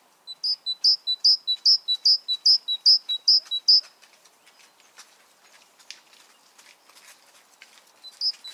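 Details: A great tit sings about eight quick, evenly spaced repeats of a high two-note phrase. A faint quiet stretch follows, then one more phrase at the very end.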